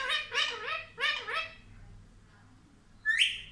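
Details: Talking pet Indian ringneck parakeet, taught mummy and papa, giving five nasal, wavering speech-like syllables, a pause, then a single rising screech.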